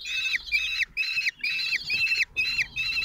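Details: Four common kestrel chicks, 16 days old, being fed by their lone father at the nest in June 2023; harsh, buzzy wheezing calls in rapid bursts, about six in three seconds.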